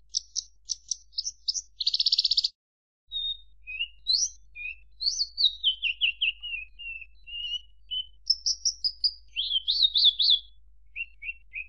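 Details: Javan bush lark singing a varied sequence: staccato high ticks, a dense buzzy burst, a short pause, then sliding whistles, falling phrases and rapid trilled notes, with a low background hum.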